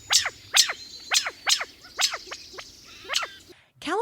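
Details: California quail; alarm call; alarm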